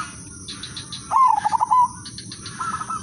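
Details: Zebra dove of the silver udanmas type singing a melodious lure song, one trilled, bubbling coo phrase of quick pulses, with a fainter answering phrase from another dove and a steady background hum.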